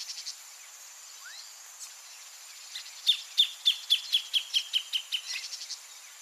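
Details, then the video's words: Greater thornbird by its nest, starting after a quiet spell with a series of about ten sharp, ringing notes that slowly drop in pitch and soften toward the end. A continuous high buzzing of insects runs throughout. "CANTO DO PÁSSARO GRAVETEIRO no entorno do ninho (PHACELLODOMUS RUBER), GREATER THORNBIRD"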